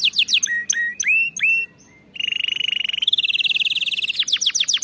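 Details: Canary training song: sharp falling chirps and rising whistles, a short pause, then a long fast buzzy roll and a ringing trill ending in quick chips.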